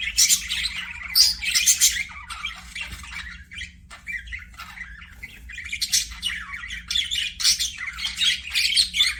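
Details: Chattering budgies in an aviary, a dense stream of scratchy chirps, warbles and squawks coming in bursts with a quieter dip around the middle, over a low constant hum.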